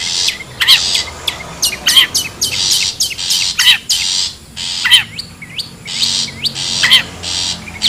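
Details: Bird-luring recording of a wild long-tailed shrike: loud rasping squawks in uneven runs, punctuated by thin hooked whistles and descending squeaks.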